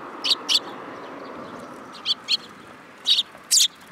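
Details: Young sparrows on a hand at a Tenmangu shrine, Japan, July 2022: three pairs of sharp high chirps spaced across a few seconds over a steady low background hiss.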